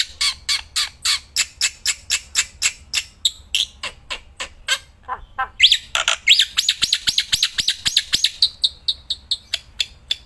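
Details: Caged black-winged myna singing loudly outdoors while held: evenly repeated clipped notes for several seconds, then a dense buzzy burst and quick chattering trill, returning to spaced chips.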